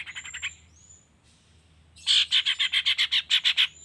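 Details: Morning lure sound for long-tailed shrikes meant to prompt silent birds to sing: a few quick scratchy notes and thin high whistles, then a loud run of about a dozen harsh, evenly spaced chattering notes.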